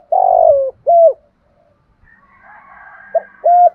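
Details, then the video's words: Spotted dove performing its 'kích bổi' style song at a quick pace: a long coo sliding downward, a short level coo, a pause with faint background noise, then a clipped note and another short level coo. "Tiếng chim cu gáy giọng kích bổi nhanh nỏi"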